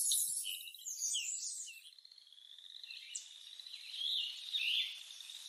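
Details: Lettered aracari from the toucan family giving bright, high squeaky chirps that overlap, with a sustained wavering whistle and short sharp notes toward the end.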